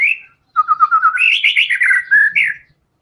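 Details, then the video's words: White-rumped shama in active fighter song used to get songbirds singing. A quick series of short repeated notes builds into a rich, jumbled warble of sliding whistles, ending on a bright upward note. "TEMBAKAN MURAI BATU GACOR BONGKAR SEMUA ISIAN FULL FIGHTER"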